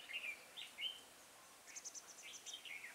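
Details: Decoy red-whiskered bulbul used to trap wild birds, recorded 6 November 2017, with a voice likened to a long pump. Clear whistled slurs are followed by a quick run of thin high notes, then a final slurred phrase.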